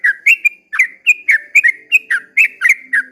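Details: Sooty-headed bulbul singing at dawn in a long 'ropel' style: a rapid run of short liquid whistled notes, each swooping up or down, about four per second, with a faint low hum behind.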